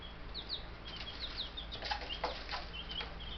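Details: Young Buff Brahma chicks, ten in all, homestead bird yard, May 6, 2019; dense shrill peeping, rapid rising and falling notes, mixed with sharp clicks and scratching, over a faint low hum.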